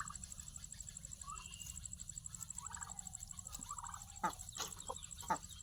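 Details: Turkeys calling at feeding time. Short mid-pitched notes come in scattered bursts, and a few sharp, louder clicks or knocks near the end stand out over steady low background noise.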